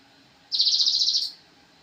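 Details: Brief Javan cochoa song for training songbirds: a quick high trill of fast regular pulses, lasting under a second, over a quiet background.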